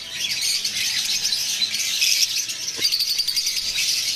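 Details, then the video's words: Lovebirds in breeding pairs keep up a continuous shrill twittering chatter, with harsh squawks mixed in and one brief low knock near the end. "love birds chirping"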